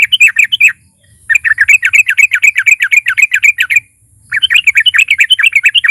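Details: Energetic fighter sooty-headed bulbul (trucuk) in narung style, sung to stir other bulbuls into song: brisk runs of sharp, rapidly repeated chirping notes, one unbroken stretch lasting over two seconds, then a short pause and another quick burst.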